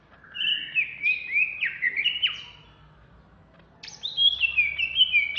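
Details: Banyuwangi greater green leafbird in agitated ngentrok: rapid chattering whistles sliding downward, a short lull, then a high, steady whistled phrase with warbling inflections.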